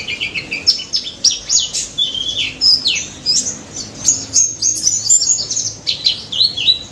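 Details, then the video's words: White-eye song of sharp high whistled slurs and rapid chirps, some notes dipping lower, delivered in quick bursts almost without break. "BURUNG PLECI DAPUT GACOR NGALAS NEMBAK"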